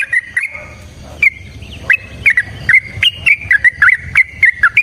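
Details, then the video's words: Yellow-vented bulbul, long fighting 'ropel' song used as a singing lure for other bulbuls: a few scattered notes, a gap, then an accelerating series of loud, gurgling, up-and-down phrases. "Suara Trucukan GACOR Tarung Ropel Panjang Pancingan TRUCUKAN Agar Bunyi"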